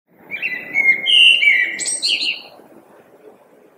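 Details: Common blackbird singing: a run of mellow, fluted warbling phrases that dip and rise, followed by a thin, squeaky high twitter. A faint low background rumble lies underneath.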